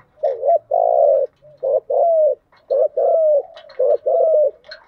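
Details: Spotted dove giving a lure coo for attracting wild doves: deep, hollow coos in a steady phrase of short and long notes, repeated three times with short gaps.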